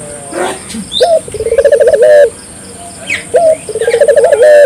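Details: Barbary dove in vigorous calling, meant to set local doves calling too: two low phrases, each a sharp opening note and then a rapid pulsing trill lasting about a second, with faint high chirps behind.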